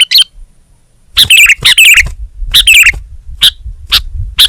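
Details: Kutilang, or Sooty-headed bulbul, from Indonesia, singing gacor-style: after a brief pause, lively bubbly warbled phrases of twisting notes, then single sharp chirps spaced about half a second apart, over faint low background noise.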